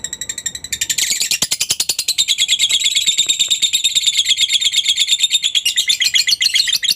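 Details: Continuous lovebird ngekek, a chattering lure for other lovebirds: a loud, piercing stream of rapid pulsed notes keeps an even fast rhythm for the whole seven seconds.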